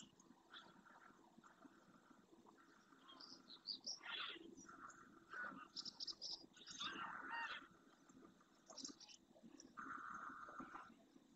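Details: Numerous flock of wintering greylag geese flying back to a lagoon in the Doñana National Park marshes, Spain, in early morning light. Nasal honks are held on a steady pitch and come in bursts, with higher chirping notes scattered between them.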